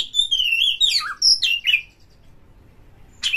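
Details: Oriental magpie-robin singing to goad other birds into lively song: a long descending whistle, then quick twisting whistled notes and a sharp upslurred note, followed by a pause and a harsh burst.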